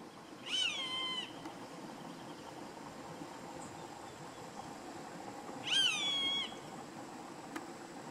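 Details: A Roadside hawk (Rupornis magnirostris) gives two drawn-out, nasal, cat-like mewing screams, each under a second and about five seconds apart, over a steady background hiss.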